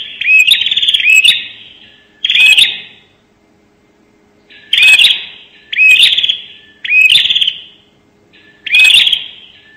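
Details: Bar-winged prinia rapid 'nembak' calling for luring: short harsh buzzy phrases with rising slurs, two quick ones, a long silence, then four evenly spaced bursts.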